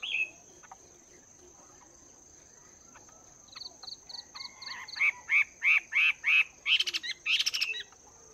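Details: Chinese hwamei in its second month of caging, voice training in the morning: after a quiet stretch, a rhythmic series of short repeated notes builds into loud, evenly spaced buzzy whistles, several per second, with a steady high background tone.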